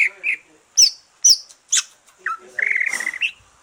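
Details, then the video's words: Green leafbird song after moulting, used to stimulate other birds: a few sharp high chips, then a rapid buzzy trill near the end. "Kicau santai cucak ijo,,rangsangan cucak ijo selesai nyulam"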